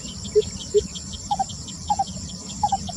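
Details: Lesser Coucal singing on 28 May 2020: hollow, low notes, two single hoots, then three quick higher doubled notes about every half-second, over steady insect trilling and chirping.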